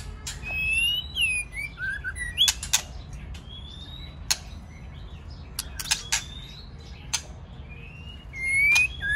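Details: White-rumped shama, male with female, singing to encourage other birds: scattered short whistled slurs and high thin notes among loud, sharp clicks, with quieter gaps between phrases.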